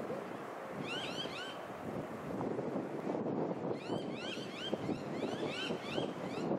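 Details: Eastern osprey (Pandion cristatus) on the Sunshine Coast, Queensland, in September 2021, giving short bursts of clear, whistled chirps that rise and fall, repeated several times over steady wind and surf.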